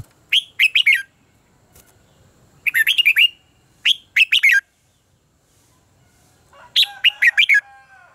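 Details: Red-whiskered bulbul fighting song for stimulating and training birds: four separate bursts of quick, bright warbled whistles spaced by short pauses, the last with faint tonal sounds beneath.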